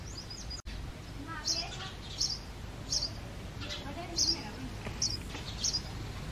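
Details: Male house sparrow chirping in the breeding season: bright short chirps at irregular intervals of under a second, with low talk-like sounds early on, a single sharp click and steady background noise.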